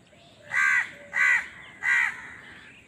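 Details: Crow fighting for food, giving three loud harsh caws at even intervals, each about a quarter second long, over a faint background of other birds.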